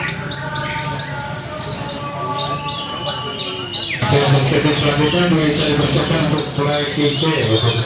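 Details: A Javan bush lark (Horsfield's bush lark) sings at a bird contest event on 2 February 2020 in Purwakarta, Indonesia: a fast run of sharp, high chirps and short trills, several a second, over loud crowd chatter and voices.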